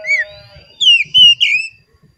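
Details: Oriental magpie-robin lure song meant to stimulate caged magpie-robins: a short whistle, then after a pause a loud sliding, wavering whistled phrase, with a steady thin high tone in the background.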